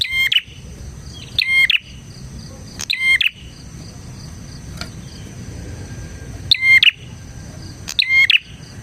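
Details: Bar-winged prinia song used as a lure for other prinias: loud, sharp, ladder-like chattering bursts of high notes repeated five times at uneven gaps, with a faint insect hum in the background.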